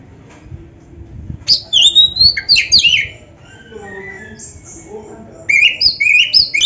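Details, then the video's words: Oriental magpie-robin in varied song, a training recording for caged birds: after quiet low noise, loud slurred whistles and sweeping notes, a softer lower-pitched passage, then repeated rising whistled phrases to finish. "Suara Burung Kacer yang cocok untuk Latihan"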